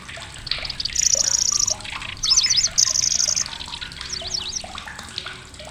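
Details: Loud, shrill song of the lanceolated warbler, a migrant to Indonesia: high, even, insect-like reeling trills under a second long, broken by fast rising-falling zigzag notes, with other birds twittering lower behind.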